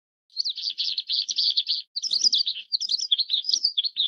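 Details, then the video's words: Oriental skylark, Taiwan: after a brief silence, a rapid buzzy trill gives way to varied high twittering and slurred whistled notes. "小雲雀/Oriental Skylark"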